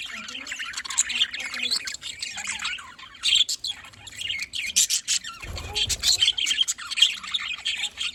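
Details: Pet budgerigars in a small colony chirping nonstop, dense high twittering and warbling with sharp squeaks, growing busier and louder toward the end, with a short low thump midway.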